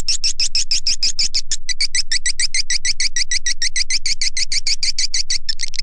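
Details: Swiftlet lure call, a sound shared for swiftlet farmers to attract birds: a rapid train of sharp, high chirps, roughly six per second, steady and unbroken throughout, with a brief hitch near the middle.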